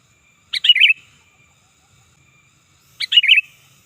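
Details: Sooty-headed bulbul calling loudly and fiercely, a sound used to lure wild birds and teach caged ones: two short bubbly phrases of a high opening note and tumbling warbles, spaced about two and a half seconds apart.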